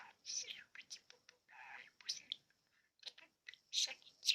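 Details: A pet budgerigar chatters in a rapid, whispery, high-pitched voice, saying Hungarian words such as its name, "szia" (see ya), "puszi" (kiss), "pici papagáj" (tiny parrot), "kakukk", "gyere" (come) and "segítség" (help).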